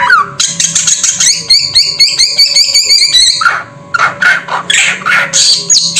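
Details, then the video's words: Samyong bird producing fast rasping, buzzy notes rich in overtones, repeated rapidly for about three seconds, then a short pause and a burst of harsher squawks and whistles. "Suara Burung SAMYONG"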